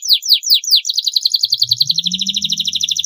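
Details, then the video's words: Canary training song for young birds: a few slow descending sweeps followed by a fast rolling trill, with a low hum in the background. "masteran kenari durasi panjang, masteran kenari paud agar cepat gacor"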